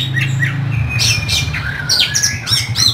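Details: Oriental magpie-robin (kacer) in energetic song with rough 'isian kasar' notes: short whistles, then harsh squawky bursts and quick slurred high phrases, over a steady low electrical hum.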